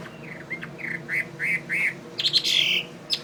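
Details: Chinese hwamei, a fighting bird, giving a series of short arched whistles that grow louder, about one every third of a second. A strong buzzy warbled flourish and a final click follow.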